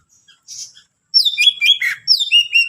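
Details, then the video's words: Greater green leafbird singing to provoke other leafbirds: after a faint soft note comes a rapid, tumbling run of bright slurred whistles and buzzy chips. "cucak ijo gacor full isian mewah rayu c ijo lain bunyi"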